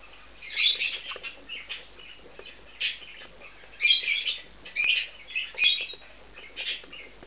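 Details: Two bonded male budgies taking over a nest in an aviary compound chatter almost continuously: dense, scratchy warbling and quick high chirps run together with brief pauses.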